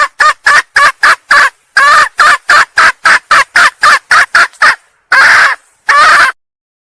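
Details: Female red junglefowl from Sumatra, calling to attract males: a fast run of short, loud, harsh clucking bursts, about fifteen in five seconds, then two longer drawn-out squawks after a pause.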